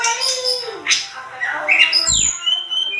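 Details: Short burst of excited tledekan gunung (Sunda robin) song: mixed buzzy and whistled notes, a brief low thump, then clear high whistles rising and fading.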